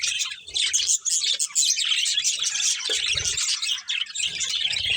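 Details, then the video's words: Colourful pet budgerigars eating, filling the air with unbroken high chattering chirps and warbles; a low rustle or thump sounds around the third second. "Colourful Budgies Chirping Sounds | Love Birds Eating"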